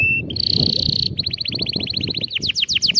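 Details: Canary singing for young birds to learn from: a whistled note, a buzzy held trill, then a long rapid series of repeated chirps speeding into sweeping slurred notes, over a steady low background rumble.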